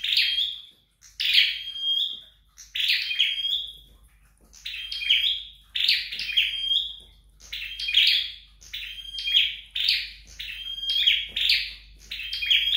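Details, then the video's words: Flowerpecker in home training, singing a long run of high, dry chirp bursts with tiny pure whistles, roughly one phrase every second for almost thirteen seconds. "Dợt Sâu Đầu Đỏ Tại Nhà"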